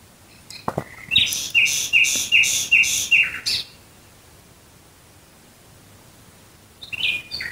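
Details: Night-singing nightingale near Dresden: a few soft clicks, then a strong run of six ringing, evenly repeated notes ending in a falling buzz, a pause, and a fresh phrase starting.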